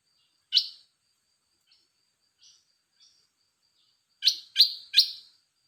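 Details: Red-whiskered bulbul singing: a single sharp chirp, a few soft faint notes, then a quick burst of three loud, bright chirps close together near the end; quiet background.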